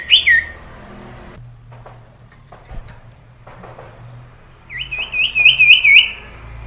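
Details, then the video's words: Male sirtu singing against a rival: a short sliding whistle opens, then a quiet gap with faint clicks, then a rapid wavering trill of about six looped whistled notes, over a low hum. "sirtu jantan menekan lawan menjadikan burung sirtu gacor DOR"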